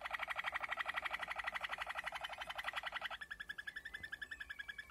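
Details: A Malinois Waterslager canary, recorded in 2020, delivers a fast, bubbling rolled trill for about three seconds, then switches to a thinner, higher rolling tour; nothing else is heard.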